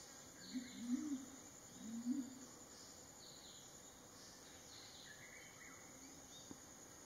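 Mountain imperial pigeon giving two deep, hollow hooting notes about a second apart, with faint high chirps and an insect hum behind.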